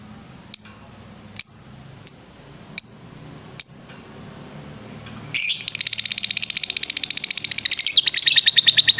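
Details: Lovebird recorded as a master for training birds: five sharp, spaced high chips, then a sudden dense ngetrek trill of rapid buzzy notes running on without pause.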